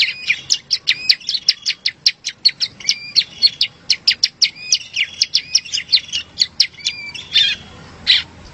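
Bar-winged prinia singing a loud, high, rapid series of sharp chirping notes, about three a second, with brief trilled phrases; no other sounds.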